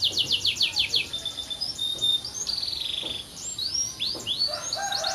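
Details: Canary singing a sequence of rapid sweeping notes, a clear whistle, a buzzy sustained trill, then upward slurs and quick rolling phrases.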